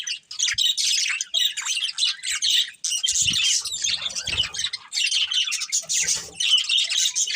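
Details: Pet budgerigars, kept together as a family, produce a lively mix of buzzy squawks and twittering chirps in short overlapping bursts, with a few soft low knocks in the background.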